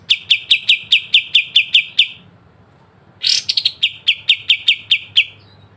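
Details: Kapas tembak, the pied triller, singing sharp besetan phrases for songbird training: a series of rapid repeated whistled notes, a brief silence, then a rasping burst leading into a second run of notes.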